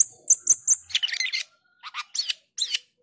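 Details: Short passage from a male black-winged starling: a few high piping notes followed by scratchy, rasping chatter and brief squeaky phrases.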